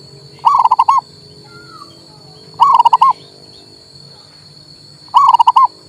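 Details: Male zebra dove of a local strain, used to rouse a bird that has stopped singing; three rapid bubbling coo phrases arrive roughly every two and a half seconds, each a tight run of mellow notes, with low hum beneath.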